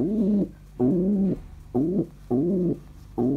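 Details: Pet pigeon indoors, described as very happy, giving a series of five low, warbling coos, each about half a second long with short pauses between, in a quiet small room.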